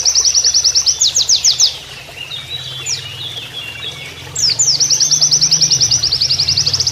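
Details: Oriental white-eye master song in canary-like style: a fast high trill and sweeping notes, a two-second gap with soft scattered notes and running water, then a long, steady burst of rapid repeated chips.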